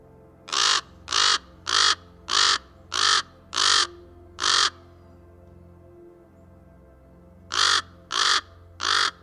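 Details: Common Raven (Corvus corax) in Canada gives harsh, raspy caws: six in quick succession about every half second, a pause, then three more. A low steady hum runs underneath.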